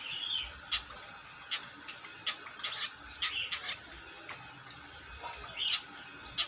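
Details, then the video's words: Long-tailed shrike singing actively: short, sharp, high chattering notes delivered in irregular bursts, with small clusters of quick scratchy chips and pauses between them, against a quiet background. "Burung cendet gacor"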